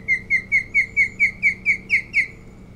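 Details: Osprey at its nest on Hog Island near Bremen, Maine, filmed by a nest camera on 25 July 2018: a run of about eleven short, clear whistled chirps, evenly spaced about a quarter-second apart, the last few higher and stronger, over a faint low hum.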